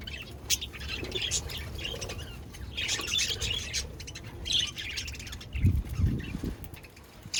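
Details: Pet budgerigars chirping while eating: a busy mix of short, overlapping high chirps and twitters with no pauses, under some low rumbling and thumping noises.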